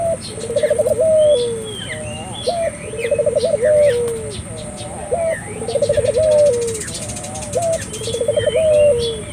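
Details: Lively cooing of a puter dove, played to stir local doves into calling. Each phrase is a short rising note, a rapid trill of pulses and a long sliding coo, repeated steadily about every two and a half seconds, with faint twittering birds behind.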